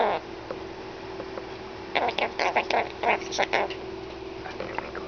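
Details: A male pet rescue monk (Quaker) parakeet, acting oddly, mumbles under his breath as if to an imaginary friend, a habit that can last for hours: a quick run of scratchy, chattering syllables over a steady background hum.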